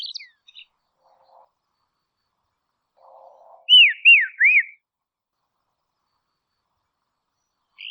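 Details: Dusky robin in Tasmania's quiet woodlands giving three clear arched whistles in quick succession, each sliding down after a brief rise, preceded by faint soft rustling and a short high note.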